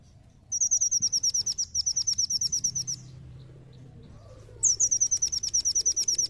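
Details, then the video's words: Brown-throated sunbird song meant as a lure to set other birds singing: two long, rapid trills of identical sharp, high notes, about five per second, split by a one-and-a-half-second pause. "Pancingan Kolibri Ninja Seketika Langsung Ikut Nembak"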